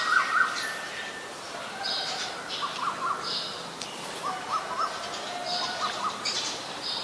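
Distant Asian koel giving short, rising notes in quick pairs, repeated every second or so, over a higher hissing chorus of other birds or insects.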